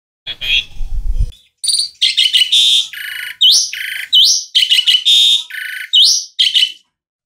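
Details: A loud, continuous stream of Asian pied starling song: rasping buzzes, chattering bursts and upward-sweeping whistles alternating with little pause, after a brief low rumble at the start.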